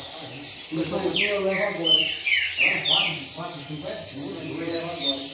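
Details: Caged double-collared seedeater, rain song style, in a training circle: bright high slurred notes falling in pitch, uneven phrases, with a man's speech running beneath the song.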